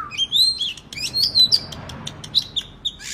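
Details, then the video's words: Oriental magpie-robin, a kacer, used to stimulate silent birds to sing; high wavering whistled trills with quick ticking clicks and a scratchy burst at the end. "KACER GACOR Terapi agar Kacer Malas Bunyi nyaut ikut GACOR"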